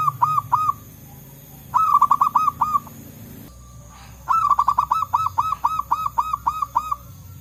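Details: Forest zebra doves of the local type calling and answering: three phrases of ringing, staccato coo notes, the last a long run of about a dozen evenly repeated bright notes, low background hum.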